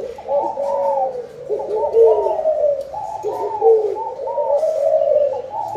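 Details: Spotted doves calling, said to call for fullness and a bountiful harvest; a steady stream of overlapping low, mellow coos with rounded notes that barely pause, as if several birds are cooing at once, and faint background clatter.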